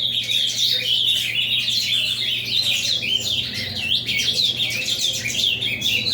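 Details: Ultramarine grosbeak pouring out a dense, fast avalanche song of jumbled high chirps, whistles and trills without pause, accompanied by a steady low hum.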